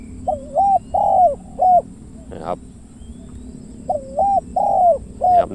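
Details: Spotted doves, a caged decoy on the right and a wild bird on the left, about 100 metres apart, trading phrases of three to four deep, hollow coos, with brief speech between the phrases.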